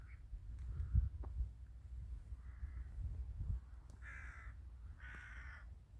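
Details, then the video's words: Wintry village scene with crows: a few faint caws early on, then two louder, harsh, rasping caws about a second apart near the end, over steady low outdoor rumble. "the sound of crows"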